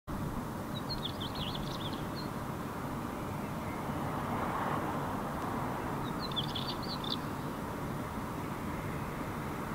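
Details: Northern wheatear (Oenanthe oenanthe) singing on a summer night in May 2018 in Helsinki, Finland, unseen: two short, scratchy, chattering phrases about five seconds apart, half buried under a steady low rumble of wind or distant traffic.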